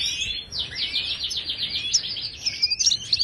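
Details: Moroccan European goldfinch song used to train caged birds to sing: a rapid high twittering run of short slurred notes with trills and sharp chips, steady and continuous throughout.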